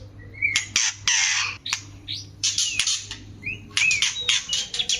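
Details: Caged white-rumped shama mating song, used to bring other birds into breeding condition: harsh, hissing broadband bursts alternating with short rising whistles, loud rasping phrases toward the end, a faint low hum beneath.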